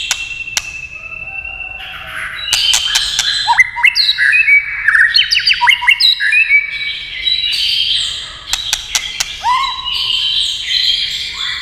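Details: Tail-tapping clicks encourage a White-rumped shama into full song: bursts of varied whistles, rapid rising notes and chattering trills, with sharp clicks scattered through the phrases.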